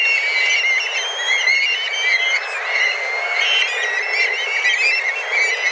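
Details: A flock of tens of black kites calls vigorously while flying in search of food; layered high, clear whistles, some drawn out and slightly wavering, from many birds calling over one another.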